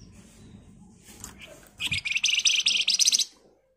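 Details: Flamboyan song in the 'ngebren rapat nyerecet' style, played as a lure. Low background rumble and faint chirps lead into a harsh, rapid, high chattering trill that continues about one and a half seconds, then stops abruptly.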